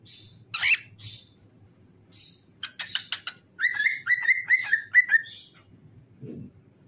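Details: Pet cockatiel chirping: bright whistled chirps, then a quick burst of sharp notes and a run of five repeated falling whistles, with a faint low hum beneath.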